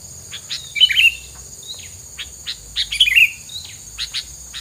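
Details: Bird filler sound used against rivals, with two twittering chirp bursts separated by scattered soft clicks and ticks, and a constant high hiss behind.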